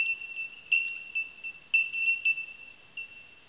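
Bell miners give clear, high, bell-like 'tink' notes, ringing and overlapping in a steady chime with brighter notes every half second or so.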